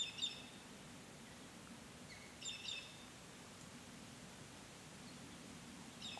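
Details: Female Hooded Robin recorded in Canberra, 29 February 2020: brief clusters of thin, high chirping notes with a lower slurred note, repeated roughly every two to three seconds against a constant low background rumble.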